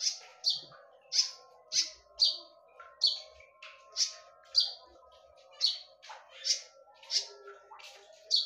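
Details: Konin calling in sharp, loud bursts for use as a lure, each high note short and bright, given about twice a second in a steady run.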